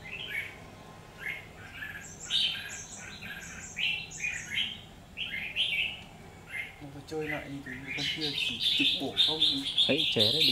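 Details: Red-whiskered bulbul fighting song at a trap, 17 October 2019: lively chirped phrases for several seconds, then a human voice and a sustained high thin whistle toward the end.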